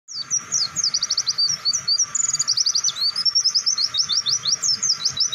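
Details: Caged white-eye singing a long, continuous training song: rapid high whistled notes, sharp down-slurred chirps and trills running without pause, steady and loud, over a faint low hum.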